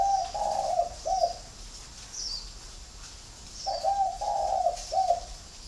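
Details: A kept flock of spotted doves in Ba Vì district, Hanoi, Vietnam. Two soft, burry coo sequences, each two or three connected notes and a clipped ending, sit about three seconds apart, with faint high chirps from other birds between them.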